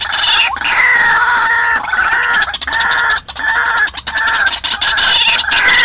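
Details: Trapping lure of a white-breasted waterhen: continuous, loud, rasping calls repeated about one and a half times per second, overlapping and saturated, with a higher whistled slide at the start.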